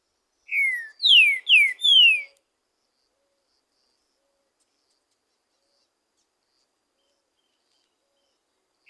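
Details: Green-winged saltator, free in the wild, singing a lot in nature. A single phrase of four descending whistled notes, the first softer and the rest loud and slurred, followed by several seconds of silence and the start of another note.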